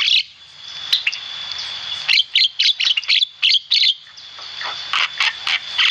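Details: Javan myna singing actively, used as a training recording for cage birds: rapid bursts of harsh, chattering chirps repeated several times a second, with a steady thin high tone running underneath throughout.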